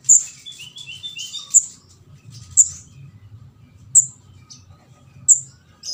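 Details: Javan orange-headed thrush chick, called ndas abang locally, begging, a sound used to lure birds. Sharp high-pitched squeaks repeat every one to one and a half seconds, opening with a quick run of softer notes, low rumble beneath.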